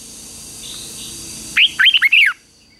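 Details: Red-whiskered bulbul singing during morning training, a short burst of four loud, clear, warbled whistled notes after a steady background hiss.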